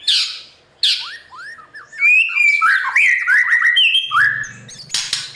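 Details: Morning song of a white-rumped shama used as a voice tutor for newly caught birds in competitive singing; harsh opening bursts give way to a run of clear, slurred whistles rising and falling, with a low hum near the end.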